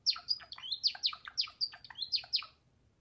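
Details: Java sparrow of the gelatik wingko variety giving a fast, continuous series of high, down-slurred bell-like notes, roughly nine in under three seconds, then falling silent.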